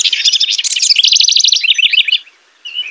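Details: Rich bubbly song of a house wren: a loud, dense rush of rapid trilled notes lasting about two seconds, ending in a lower rattling chatter, then a short gap and a faint warble.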